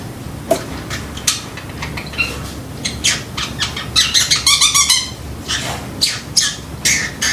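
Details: Pet Pacific parrotlet indoors mimicking a timer sound; sharp high chirps build into a quick burst of ringing, beep-like tonal notes before more scattered calls.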